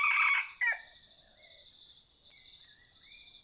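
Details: Vientiane-line red junglefowl, a decoy hunting bird, crows loudly and raspily in short ragged bursts at the start, then falls quiet beneath continuous shrill insect trilling and soft, thin bird whistles.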